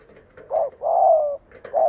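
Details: Decoy spotted dove calling to lure wild doves to fight, a short coo followed by a long level then slightly falling coo and the start of another note.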